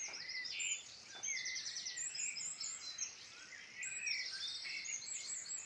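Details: Birdsong from the Irish Midlands: rapid high trills and buzzy repeated phrases from several birds overlap, with bright whistled notes between bursts against constant faint hiss.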